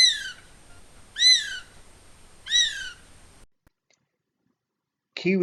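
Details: A male North Island brown kiwi calls at night within 500 m of Russell Wharf, Russell, New Zealand. It gives three shrill, arching whistles about a second apart before the call cuts off, and a brief lower sound follows.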